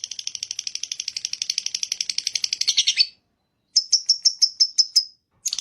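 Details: Lovebird pours out a three-second burst of rapid harsh chattering, pauses, then resumes with spaced piercing chirps and a final short burst.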